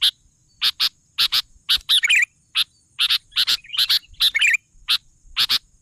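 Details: Sooty-headed bulbul song made of steady clipped chips broken by a few quick warbling phrases, in a lively, regular rhythm.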